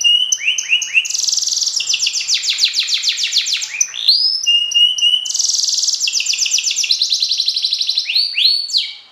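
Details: Competition canary of the F1 YS strain delivering Cililin 'nembak' song material: rapid rolling trills, descending whistled slurs and loud buzzy high-pitched bursts, the long phrase repeated twice with sharp rising notes, no other sounds.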